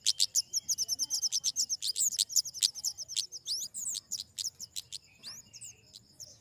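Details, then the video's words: Flowerpecker (kemade or cabai, family Dicaeidae) giving a rapid series of very high, thin ticking notes, about three per second. These break into sweeping high chirps and slurred whistles, with a faint low hum underneath. "Suara burung kemade"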